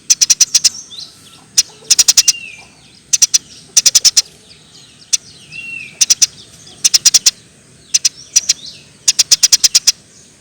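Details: Eurasian tree sparrow, lure for prompting birds to sing: short groups of crisp, very high chirps scattered across the recording, with occasional softer slurred whistles from other birds in between.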